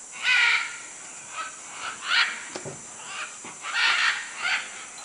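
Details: Macaws in Manu, Peru, give harsh, raspy squawks in irregular bursts, roughly one every second or two, with several birds calling back and forth.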